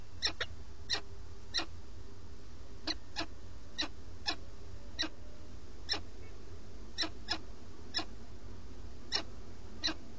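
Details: At a peregrine falcon nest in Alcalá de Henares, Madrid, Spain, filmed by live webcam on 8 March 2017 as the male eats, a long series of crisp short chips, sometimes paired, roughly every half second, with a constant low hum.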